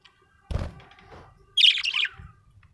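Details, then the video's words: Happy budgerigar: a dull thump and rustle, then a short, loud, scratchy warbled chirp that fades out. "happy budgie chirping sound"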